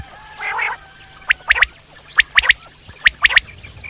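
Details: Wild common quail giving a soft nasal growl, then three rapid sets of sharp, clipped, liquid triple notes spaced under a second apart.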